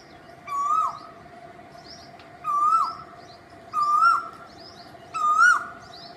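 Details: Cuckoo calling four times at a steady pace, roughly every one and a half seconds: each a loud whistled note that holds level and then dips at the end, with faint high chirps between.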